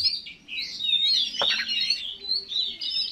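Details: Oriental magpie-robin, a contest songbird, in continuous rich warbling with overlapping whistled phrases. One sharp click sounds midway. Used as a lure to stir other magpie-robins.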